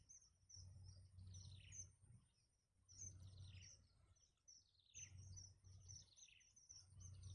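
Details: Young birds in a nest calling for food as their mother feeds them: clusters of high, sharp, downward-sliding cheeps in excited bursts every couple of seconds, over a continuous low rumbling background.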